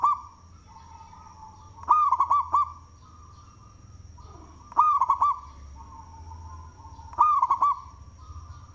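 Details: Local zebra dove, loud-voiced and in song, used as a lure: three strong phrases of bouncing, trilled coos roughly every two and a half seconds, over softer steady cooing from nearby doves and a thin high whine.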